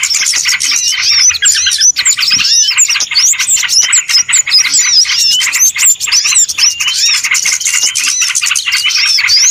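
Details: Small birds in a trapping lure recording: nonstop dense chorus of sharp chirps, twitters and curling whistled notes, with brief dips in loudness.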